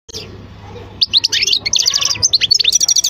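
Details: European goldfinch singing: after a quiet first second, a fast, dense run of high, tinkling twitters and buzzy trills, notes tumbling over each other almost continuously, with a faint low hum underneath.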